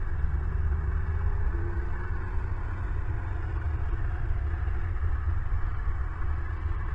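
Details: Steady, loud low rumble throughout, like wind or engine noise, with no animal voice heard.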